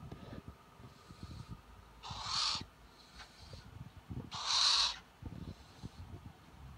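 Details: Captive Spix's screech owl playing at a computer, eyeing the mouse cursor; two strong, grating hiss-like screeches roughly two seconds apart, with softer breathy noise and light tapping around them.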